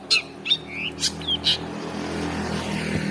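A long-tailed shrike gives five quick, harsh, scratchy notes mixed with brief high whistles in about a second and a half, over a steady low hum.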